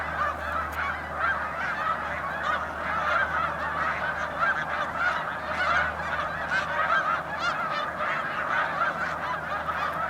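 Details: Thousands of snow geese in November on the St François river at Drummondville: a constant, crowded clamour of barking honks, swelling and easing over ten seconds, over a faint low droning hum.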